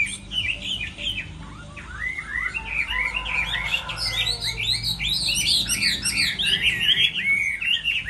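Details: A Chinese hwamei sings in a contest during the moult season, opening with scattered whistles and building into a torrent of rapid, bright, slurred notes that become louder and denser.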